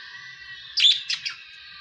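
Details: A Budgerigar (Melopsittacus undulatus) gives a few quick, scratchy high chirps over a steady background hum.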